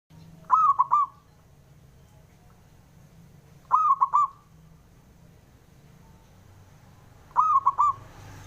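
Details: Male zebra dove, a local bird, calling to provoke rivals into answering; three clear phrases of quick, slightly rising, hollow coos, each a short burst of three or four notes, spaced roughly three and a half seconds apart over a low hum.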